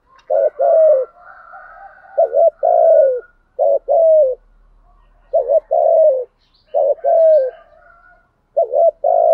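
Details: Spotted dove decoy with a sensitive voice, cooing to provoke wild doves. Repeated phrases over nine seconds, each a quick quavering double note then a falling coo, delivered in a steady series, with faint higher tones in the background.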